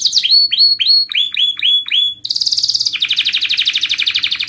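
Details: Canary singing a rolling song: a run of slurred rising notes repeated about four times a second, then a fast, dense, buzzy trill held high, breaking into a slightly lower rapid rattle.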